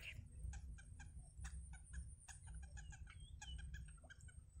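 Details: Yellow bittern chicks in a wild nest being fed by their mother, who spits out food for them; rapid, irregular short clicking chips with a few brief rising squeaky notes, over a low steady rumble.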